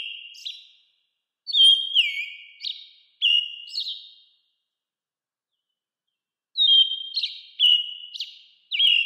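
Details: American robin calling: clear whistled notes that slide down and end in short buzzy flourishes, given in two bursts separated by a long silence, with no other sounds.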